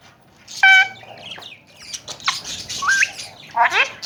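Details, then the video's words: Talking, tame Alexandrine parakeet of the Kashmiri raw type, kept in Pakistan, making a clear harmonic whistle followed by rasping chatter, short rising whistled notes and a final harsh squawk, with human voices nearby. "Talking and tame alexander kashmiri raw parrots"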